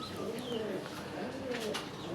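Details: A large local domestic pigeon at a pigeon farm in Kashimpur, Gazipur, Bangladesh, gives soft, low, throaty coos while a man talks faintly nearby.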